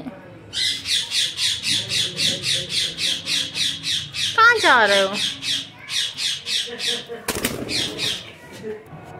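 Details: Pet ring-necked parakeets indoors giving loud angry chirping: a fast, regular series of harsh, buzzy high notes, about four per second, broken by one rising squawk, with faint background music.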